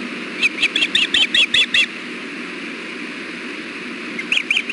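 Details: Nesting ospreys filmed at Hellgate at 4:00 pm on 6.4.16 as the male delivers fish and feeds the female. A quick run of about eight sharp whistled chirps, a long pause of background hiss, then three more notes.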